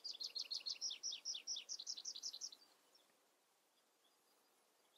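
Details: Tree pipit (Anthus trivialis) delivering a fast, high-pitched trill of about fifteen rapidly repeated double notes over two and a half seconds, then quiet with a faint note at the end.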